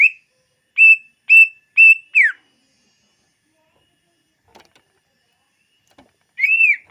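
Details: Greater green leafbird singing, used as a lure: a quick run of four flat whistled notes ends in one falling note. After a pause with faint ticks, a final arched whistle sounds.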